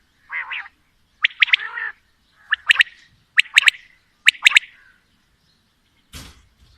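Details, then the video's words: Female and male quail calling together, with long call series: short rasping phrases of two to three sharp clicking notes, repeated roughly every second, and a brief noisy scrape at the end. "Female Batair Calling | Male Batair Sounds | Mix Calling| Batair Ki Awaz | Batair Ki lambi Awazay"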